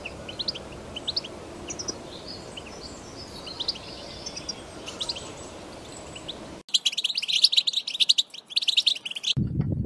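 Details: Wild European goldfinch singing in nature in 2021, 'batbata' style song: faint scattered twitters over steady background hiss, then after an abrupt cut a loud, dense burst of rapid high twittering that stops suddenly into low rumble.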